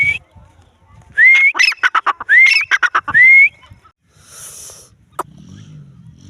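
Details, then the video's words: Grey francolin calling: loud, clear whistled notes that slide upward, four times within about two seconds, mixed with sharp clicking bursts, followed by quiet and a single sharp click. "teetar awaz|Teetar awaj|Teetar bird|Teetar boli"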